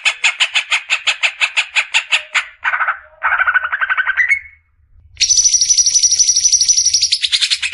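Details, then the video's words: Greater green leafbird in besetan masteran song: rapid evenly spaced harsh notes, then lower buzzy trills rising in pitch, a pause, and a long high sustained buzzing trill. "SUARA JERNIH,Besetan suara burung CUCAK IJO."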